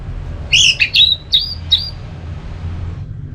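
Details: Orange-headed thrush in ngeplong song meant to trigger another bird to sing: a quick run of four or five bright, downslurred whistles within about a second and a half, then quiet hum.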